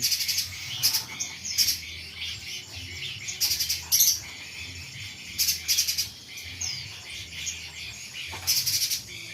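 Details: Little spiderhunter and mountain spiderhunter (pijantung pisang and pijantung gunung): sharp, bright high chips in bursts of several notes, spaced irregularly about one to two seconds apart, with faint thin whistles and a low background hum.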